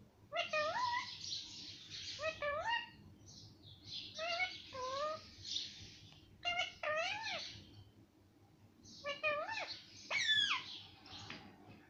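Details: Talking parrot imitating the words mummy and papa, with clear tonal syllables that bend up and down, spoken in short phrases separated by pauses in a quiet room.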